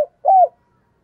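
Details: A single short arched coo from a decoy spotted dove calling in the morning, preceded by a brief click.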